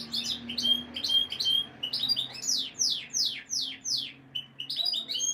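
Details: Canary song for conditioning breeding females: repeated sharp chirps and whistles, then a run of descending sweeping notes, about two and a half per second, over a low background hum.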